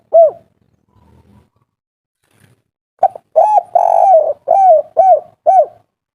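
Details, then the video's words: Spotted dove in agitated 'kuk 3' style, used as a calling lure for other doves. A lone coo is followed by a pause, then a full phrase of short notes, a long buzzing coo, and three downward-bending coos. "Suara asli tekukur kuk 3 ngamuk - raja pancingan langsung nyaut"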